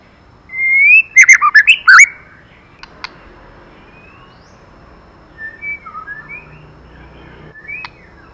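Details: White-rumped shama female calling to excite the male, giving a rising whistle and a quick run of loud, liquid, fluty notes, then quieter scattered whistles and a few sharp clicks.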